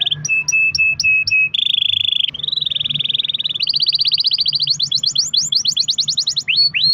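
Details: Long-roll canary song played to encourage other canaries to sing: repeated clipped notes, then sustained buzzy rolls at rising pitches, ending in quick repeated upward-hooked whistles.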